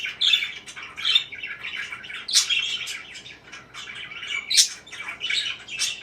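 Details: Parakeet chirps and warbling chatter, a steady stream of rasping high notes with occasional sharper, louder squeaks rising above the mix.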